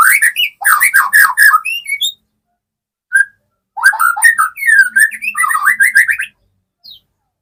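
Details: A young white-rumped shama, kept alone and sunned to build its confidence, is starting to sing hard: loud, varied whistled phrases in rapid bursts, rich rising and falling notes with short pauses between runs.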